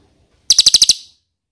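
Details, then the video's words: Ashy tailorbird lure sound for eliciting answers: a quick burst of six sharp, high chirps in under half a second, fading out with a short ringing tail. "PANCINGAN CILILIN DIJAMIN NYAHUT!!"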